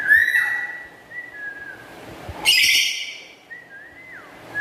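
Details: Kept black-capped lory, loud and melodious: a long steady whistle trailing into softer wavering tones, a sudden harsh, noisy squawk midway, then a rising whistle that drops sharply at its end.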